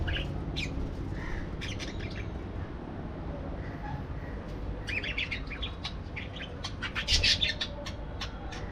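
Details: Scattered high chirps and squeaky parakeet notes, sparse at first and then thickening into a busy burst of twittering near the end, with a constant low hum beneath.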